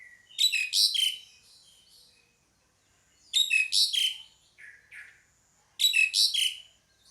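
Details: Pied myna calling in bursts of harsh, buzzy, grating notes mixed with squeaky whistled slurs, each burst about a second long and repeated roughly every two and a half seconds, with softer rasping sounds between them.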